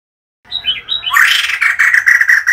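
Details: Female White-crested laughingthrush calling as a decoy sound: a few wavering whistled notes that swell abruptly into loud, rasping, rapidly pulsed chatter, which continues to the end.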